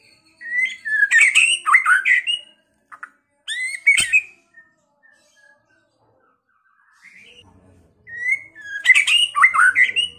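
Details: Provocation song of a kept white-rumped shama (murai batu) from Pekalongan, meant to make rivals fight and sing. A loud varied phrase of whistles and rasps, a short sharp burst, a long pause with faint notes, then another energetic outburst.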